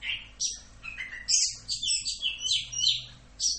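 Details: Orange-headed thrush singing a full 'Rock'n Roll' style tutor song for training songbirds, mixing scratchy chatter with bright, high whistled notes in quick, uneven bursts and short gaps between them.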